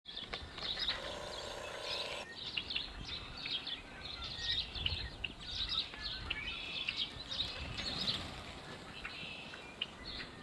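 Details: Yellow-headed blackbirds at Malheur Wildlife Refuge, Harney County, Oregon, in April 2024 give a harsh, rasping buzz early on, then a busy chorus of sharp high chirps and clucks over steady outdoor noise.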